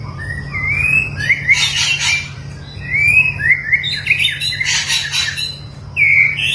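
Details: Long-tailed white-rumped shama under mental training sings slurred rising whistles alternating with loud harsh chattering bursts, repeated in two cycles, steady low hum in the background.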